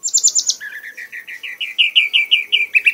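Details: Red-whiskered bulbul, a caged competition bird, singing hard in an excited, frenzied state: a fast, steady trill of clipped notes, first high and thin, then dropping lower and climbing gradually, about five notes per second.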